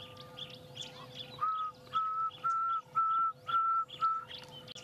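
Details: Pearl-spotted owlet (Glaucidium perlatum) calling somewhat far off during a sunrise safari drive on 3 December 2016: six even, piping whistles, about two per second, over a steady hum and faint chirps of other birds.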